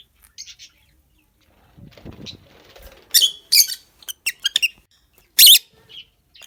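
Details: Rosy-faced lovebirds, male and female, in a colony with new young: sharp screeches and quick high chirps after a soft rustling, scratchy passage.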